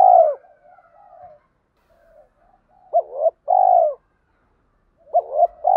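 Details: Spotted dove coos from a male and female pair, meant for stimulating birds in training. A fading coo leads into soft low murmurs, then a short double coo and a long drawn coo, with more coos starting near the end.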